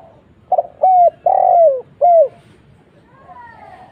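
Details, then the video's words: Spotted dove calling, played as a lure to make other doves answer: a quick double note, then three low, hollow coos, the middle one long and drawn out, falling slightly at the end, followed by fainter higher calls in the background. "suara burung tekukur kuk 1"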